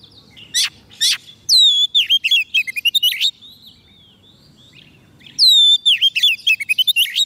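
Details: White-rumped shama fed on soft food, singing to call wild birds: two bursts of song, each opening with a loud high whistle, then a rattling series of sharp notes and bright slurred whistles, separated by a quiet gap.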